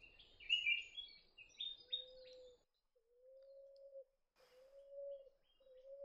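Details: Emerald dove in forest on Lord Howe Island giving low, drawn-out, even coos about a second apart, after a burst of bright chirping from other small birds.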